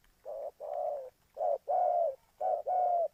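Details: Trapping-lure spotted dove from Ninh Thuận, Vietnam, giving three quick pairs of low coos. Each pair is a brief note and then a fuller, longer hoot, with short silences between.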